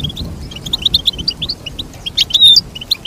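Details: Goldfinch twittering in a fast sequence of short high chirps, ending in a louder, bright drawn-out phrase before more quick notes.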